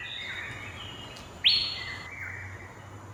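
Asian fairy-bluebird giving a loud, liquid whistled note that rises sharply then holds level, over softer high calls from other birds and faint background hum.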